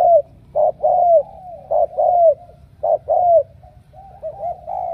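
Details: Wild-caught spotted dove from Ca Mau, selected for intense cooing, uttering soft low coos in rhythmic groups of a clipped note then a drawn-out slurred one, steady and clear against quiet background.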